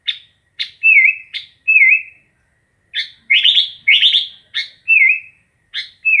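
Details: Sooty-headed bulbul singing a lively phrase of short bright chirps and clear whistled notes dipping and rising, repeated several times in quick succession over a quiet background.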